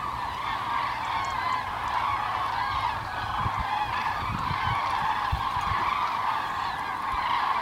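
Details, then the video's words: Common cranes migrating south on 9 November 2014 as winter approaches: a dense, continuous chorus of many overlapping trumpeting, honking calls from a flock, with layered harmonics and steady intensity throughout. "Die Kraniche ziehen gen Süden 9.11.2014"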